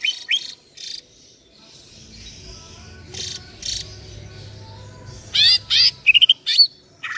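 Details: Green leafbird of local East Java stock, caged, sings rapid bright chirps and twittering whistles in quick clusters near the end, after quieter breathy notes over low background hum.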